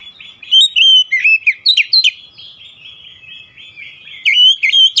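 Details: Oriental magpie-robin singing a stirring song said to excite other magpie-robins: rapid run of sweet whistled notes and twisting slurs, louder bursts at the start and end, a softer warbling stretch between.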